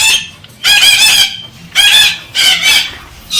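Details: Galah parrot urging a female to mate, uttering long harsh rasping screeches of nearly half a second, about three in quick succession with short gaps.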